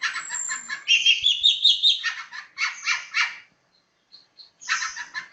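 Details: Long-tailed shrike giving a 'roll speed rapat' song: rough, chattering phrases mixed with a thin high whistled strand, then a short pause, soft chips, and another scratchy burst.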